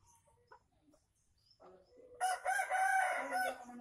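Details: An Aceh junglefowl used for luring gives one loud, harsh crow lasting about a second and a half, with a strained, clipped ending, after a quiet stretch of faint rustling.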